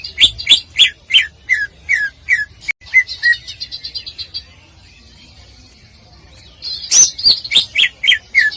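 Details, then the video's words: Greater green leafbird song used as a tutor recording for bird-singing contests: a fast run of loud whistled notes sliding down, about three per second, then a soft buzzy trill before the descending whistles return. "Masteran Cucak Ijo Full Tembakan Paling Dicari Oleh Juri Lomba"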